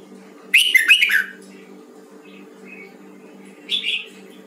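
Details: Red-whiskered bulbul, Hue type, trained for its voice: an opening burst of two quick, loud warbling phrases, then soft notes and a final rising whistled phrase, against a low droning hum.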